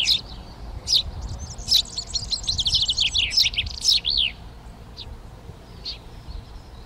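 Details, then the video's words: A Eurasian tree sparrow in a garden in Přerov on 19 March 2020, as pairs occupy nest boxes, gives a busy three-second run of short, bright chirps and chatters, then scattered single chirps; chaffinch, serin, hawfinch and dunnock sing in the background. "Vrabec polní, Eurasian Tree Sparrow, Feldsperling, Gorrión molinero, Полевой воробей, Mazurek"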